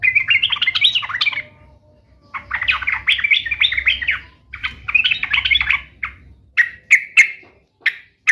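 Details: Lively sooty-headed bulbul, meant to prompt caged bulbuls to answer. Several long, jumbled warbling phrases give way to separate sharp, clipped notes, all over a faint low rumble.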